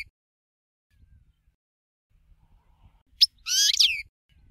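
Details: European goldfinch in a cage giving the shakario (tshakario) song style: a sharp high note, then one brief burst of rapid, jangling, buzzy twittering, with long silence before it.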